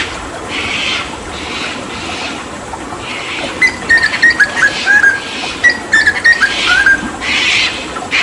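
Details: Hooded butcherbird from Papua, a mimic kept as a tutor bird for other songbirds, recorded during water spraying: bursts of hissing spray first, then a run of clear whistled notes stepping between mid pitches.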